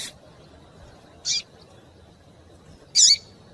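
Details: Female double-collared seedeater calling, used to warm up males so they sing; two short, high, sharp chips about two seconds apart over faint background hiss.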